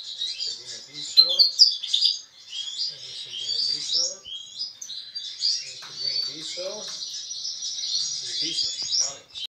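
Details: A male European goldfinch singing alongside a female gives a fast, unbroken tinkling twitter of high, liquid notes and buzzy trills, with brief low human voices now and then.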